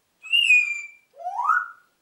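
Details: Talking pet parrot mimicking the pop song "Atemlos durch die Nacht" by Helene Fischer: a long clear whistled note falling slightly, then a short pause and a second lower note sliding upward.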